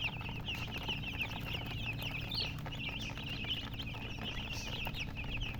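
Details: Colored chicks peeping in a lively group, high sliding chirps tumbling over one another almost without pause, with a soft low drone behind.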